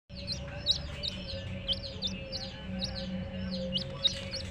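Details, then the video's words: Baby chicks with a hen peep continuously: many high, quick downward-sliding notes overlap in a steady stream, fairly soft, over a constant low electrical hum. "LOVELY Hen Baby Chicks, Witty MURGI Baby "Chicks Chirping" Sound"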